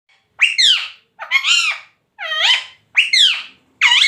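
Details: A talking parrot giving five loud, harsh, harmonic-rich syllables with bent, sliding tones, each about half a second long and spaced under a second apart, with silence between them.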